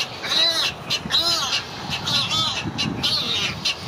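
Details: Great egret chicks being fed by a parent at Gatorland in April 2021: harsh, nasal, croaking squawks with arching harmonic bands, irregular and overlapping, amid busy background noise.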